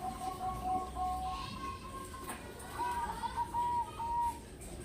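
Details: Caged zebra dove, a crossing bird with an engkel voice, being shipped from Semarang to Demak, Indonesia; soft tonal coos held near one pitch, a lower series then a higher one, over steady background noise and faint music.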